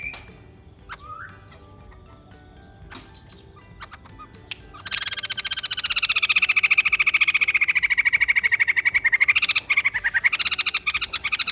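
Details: White-crested laughingthrush, a bird said to have been bought and to have been reluctant to sing. After about five quiet seconds with a few faint notes, a loud, rapid, harsh chattering series begins and runs to the end, slightly falling in pitch.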